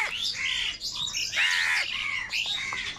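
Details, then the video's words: Crows gathering in a group, fighting for food; dense overlapping harsh squawking calls from several birds, continuous through the clip with no clear gaps. "Crow Birds Unity Anger and Sound | All types of Crow Sounds | কাকের ডাক Crow Sound Loudly"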